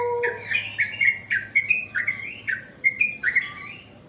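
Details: Sooty-headed bulbul, natural song: lively bubbling whistled phrases, about eight short bursts with rising and falling notes, given in uneven quick succession over a low steady hum.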